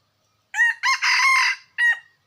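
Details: A wild red junglefowl crows once, clear and close, in a rough four-note pattern: two quick notes, a drawn-out middle note, then a brief final note after a short gap. The background is silent.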